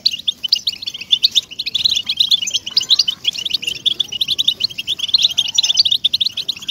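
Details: European goldfinch singing, a recording meant to motivate captive goldfinches; continuous high-pitched jingling chatter of short chirps and buzzy twitters, slightly varying in loudness.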